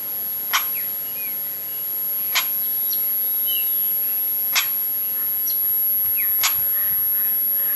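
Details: Crested oropendola call in Brazil: sharp, harsh clacks about every two seconds, four in all, with faint thin whistles from other birds between them.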